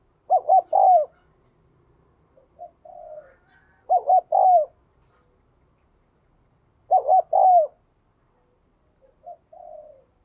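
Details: Caged decoy spotted dove used to make wild doves coo: three low phrases roughly three seconds apart, each three rapid throaty notes ending in a falling drawn coo, with softer, fainter coos between them.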